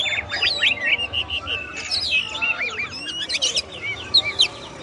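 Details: Oriental magpie-robin (kacer) singing, a dense run of varied whistled notes, sweeps and chirps between about two and eight kilohertz with steady faint background hum.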